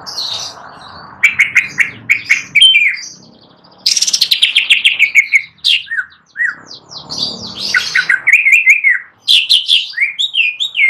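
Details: Greater green leafbird singing nonstop on a perch stand: a varied, lively song of sharp repeated chirps, buzzy high notes and harsh descending slurs, broken by short pauses.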